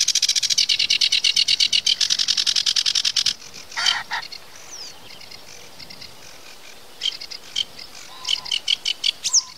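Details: Sedge warbler in a long, rapid rattle of grating notes that stops abruptly for a harsh call and a gap, then resumes in shorter chattering bursts.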